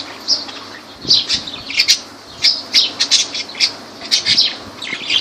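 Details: Shrill lovebird squawks and piercing chirps from Laylan, Kirkuk, arriving in quick clusters with brief pauses, over a soft steady low hum.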